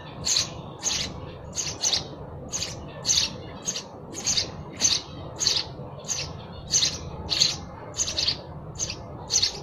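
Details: Steady sparrow chirping: a long run of about seventeen short, bright, high chirps, roughly one every half second, over low constant hum.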